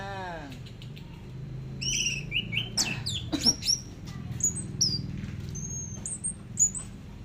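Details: Orange-headed thrush in the teler song style, heard in a long tutor recording: high whistled and chirped notes, some sliding and some short and repeated, over a steady low hum, with a man's voice in the background.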